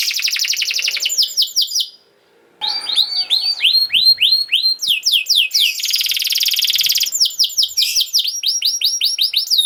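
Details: Song of a canary meant as a model for young birds: a dense buzzy trill, a short silence, then repeated arched whistles and a long rattling roll.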